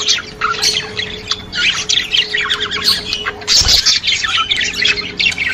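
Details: Stimulating budgerigar chatter: rapid squeaky notes and scratchy trills packed closely together, with a low thud partway through and a faint constant tone in the background.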